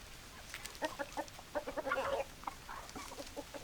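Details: Hens clucking in a flock: short, rapid clucks in quick bursts, busiest around the middle, several birds overlapping, with soft background noise.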